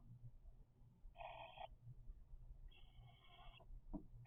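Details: Begging from cockatiel chicks three weeks old: two short hoarse rasping bursts with a quiet gap between, then a brief soft click over low background hum.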